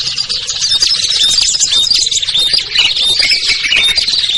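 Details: Busy lure chorus of small birds, among them ciblek, kutilang, trucuk, sogon and perenjak, used to attract birds that will not come down; piercing chirps and short slurred whistles tumble over each other nonstop.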